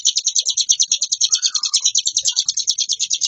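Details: Ciblek gunung (hill prinia) in continuous ngebren song, a varied stream of fast, high, chattering notes. A lower brief whistle slurs downward midway.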